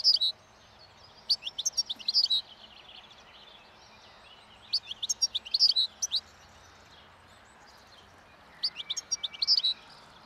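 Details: European goldfinch singing breeding song in the wild as spring nears, feeding on old roadside thistle seeds: three separate bursts of high, rapid, tinkling twitters and buzzes with quiet gaps between them.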